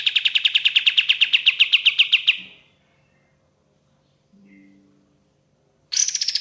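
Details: Ashy tailorbird, locally kapas tembak, singing in the long 'tembakan' style used as a lure: a rapid, even burst of sharp repeated notes, about ten per second, lasting over two seconds. A faint low hum follows, then a second burst begins.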